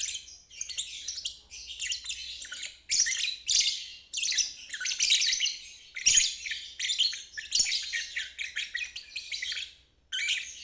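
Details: Lovebird ngeriwik, a long chattering trill used as therapy for birds that have stopped singing and for young birds learning to trill: harsh, buzzy, rapid bursts in bouts of about one second, separated by brief pauses, in a quiet setting.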